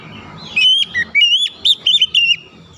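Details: Oriental magpie-robin in a therapy track for birds that stopped singing: a brisk phrase of looping whistled notes, each bending up and down, repeated quickly for about two seconds over faint low noise.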